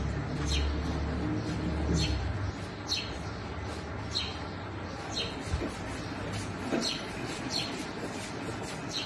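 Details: Sparrow parent feeding baby house sparrows; sharp high chirps repeat about three per second through most of the recording over low rumble.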